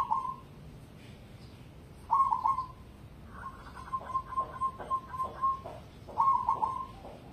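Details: Cemani zebra dove bred for contests voicing bright stuttered coo phrases, then a longer steady trilled coo lasting about two seconds, followed by another stuttered phrase; occasional soft knocks in the background.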